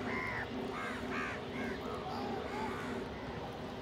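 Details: Crows feeding together call with loud, hoarse caws, four strong ones in the first two seconds, then softer, lower caws trailing off, over a constant low background drone.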